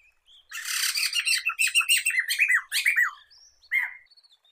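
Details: Black-throated laughingthrush, known locally as poksay mantel or poksay medan, recorded for luring and tutoring songbirds: a loud rapid run of rich, harsh, downward-slurred notes lasting about three seconds, then a pause and a short final phrase.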